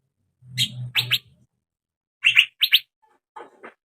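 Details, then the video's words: Young male Asian fairy-bluebird used as a prompting sound to get birds singing: sharp, paired chirps separated by gaps, with a soft lower rustling note near the end and low muffled bumps under the first calls. "PANCINGAN BURUNG CUCAK BIRU TROTOLAN JANTAN AGAR MAU BUNYI"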